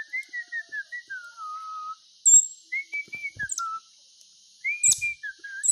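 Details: Pet bird singing: clear whistled notes stepping downward in short phrases, separated by pauses, with a few sharp high chirps between phrases.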